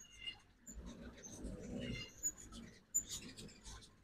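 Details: Ruby-throated hummingbirds at a backyard feeder in Oxford, Mississippi, on a fall migration morning: sharp, very high ticking chips scattered through the clip, with a few buzzier twitters and a low background rumble.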